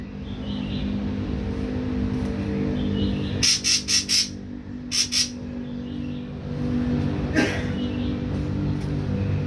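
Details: Wild-caught young ashy drongo, three weeks on pellet feed and starting to sing; a quick run of four scratchy chips, then a tight pair of harsh notes, over a noticeable low steady hum.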